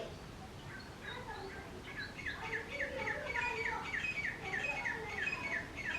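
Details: Male and female grey francolins calling loudly together: rapid, rhythmic series of sharp repeated notes, about three a second, growing louder after the first two seconds and running on steadily to the end.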